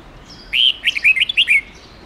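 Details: Long forest song of a red-whiskered bulbul, meant to help young birds learn; a single quick warbling phrase of sweet whistled notes, rising then dropping at the end, over soft constant hiss.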